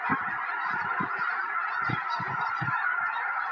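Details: Snow geese, hundreds strong, descending into a field in Tennessee days before a historic snowstorm, January 21, 2026; a continuous mass of high yelping calls, with clusters of low thumps underneath.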